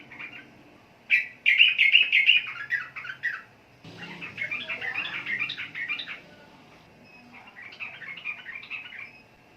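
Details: Sooty-headed bulbul singing in three bouts of rapid, chattering, bubbly notes, loud at first and softer later, with a sudden knock between bouts.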